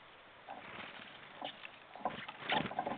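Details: Jackdaws (Corvus monedula) giving short, harsh chack notes in scattered bursts, some overlapping, over a soft muffled background hiss; recorded 21 February 2014 around 10:50. Jackdaw.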